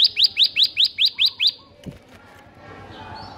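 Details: Bar-winged prinia in energetic ngebren style, used to tutor prinias that rarely sing: seven loud upward-sweeping notes at a fast, steady beat, then fading to faint background noise.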